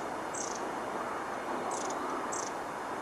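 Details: Long-tailed tit at Lake Tanzawa, Japan, 16 March 2014: three very high, thin, brief calls spaced unevenly over a few seconds, over a steady rushing background like water or wind.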